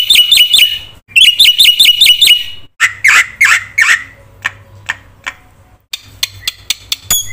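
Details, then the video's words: Training-lure song of a black-winged myna: repeated sharp chattering phrases, then several coarse buzzy calls, followed by spaced single clicks and faint sharp ticks. "suara burung jalak putih gacor full isian TERHEBAT untuk pancingan dan masteran macet bunyi"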